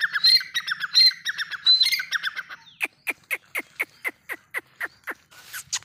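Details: Dakni teetar, a francolin, calling: a run of harsh, descending squawky notes with high whistled accents, then about a dozen sharp clipped notes repeated evenly, roughly four per second, ending with a brief rustle.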